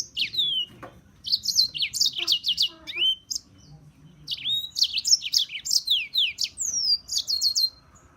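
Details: European serin delivering dense, high-pitched jingling song in two long phrases, each packed with quick scratchy, tinkling notes and slurred downward whistles, with a short pause between.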